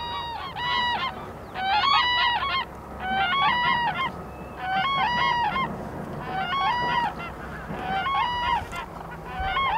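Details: Black-necked cranes feeding in Phobjikha Valley, Bhutan, where the highly endangered species winters, utter loud trumpeting calls in bursts about every second, each a brassy rising-falling note, sometimes doubled, over low background rumble.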